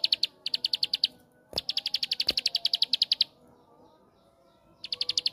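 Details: Bar-winged prinia giving 'tembakan' (shooting) song as a lure for other prinias: several bursts of quick, shrill chipping separated by silent gaps, with two loud clicks among the notes.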